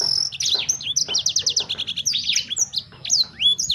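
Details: Sanger bird, in song meant to trigger another sanger bird into singing: a rapid series of high, clipped, down-slurred notes and chirps, with some sharp rising whistles near the end.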